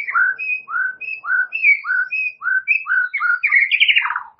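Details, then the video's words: White-rumped shama singing, offered to get a lazy-singing shama going: steady paired whistles, a higher note followed by a lower slurred one, repeated about twice a second, ending in a louder fluttering flourish. "MURAI BATU MALAS BUNYI"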